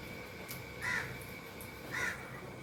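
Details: Indian ringneck parakeet, content while feeding, utters two mid-pitched rasping calls about one second apart against a low steady hum.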